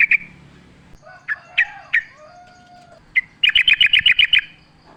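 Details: Vigorous forest-style singing of a yellow-vented bulbul in natural surroundings: scattered sharp chirps and soft lower slurs lead into a rapid even trill of about ten notes.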